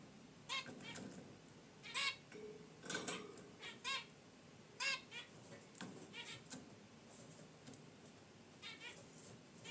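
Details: Short, harmonic, honking chirps from pet zebra finches in their cage near a wicker basket nest, about one call per second in loose clusters, with some faint rustling.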